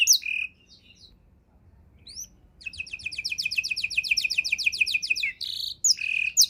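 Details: Canary with a rich, varied song used as tutor material for songbirds: high sweeping whistles, then a long fast trill of repeated rising notes, buzzy bursts and further whistled phrases after a brief pause.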